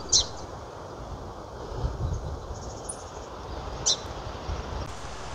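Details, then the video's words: In fall at Point Reyes National Seashore, in the shrub understory beside a campsite, a Song Sparrow, which calls rather than sings at this season, gives two short, sharp, bark-like chips about four seconds apart over steady low wind or distant traffic. "This time of the year in the fall, song sparrows won't sing, but they call and it sounds like a little bark. If you listen closely, you can hear one."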